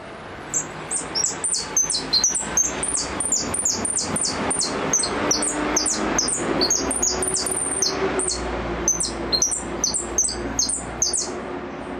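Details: Sustained goldfinch repique song, a long, fast string of high, sharply descending notes repeated almost continuously for over ten seconds, with a faint low hum beneath.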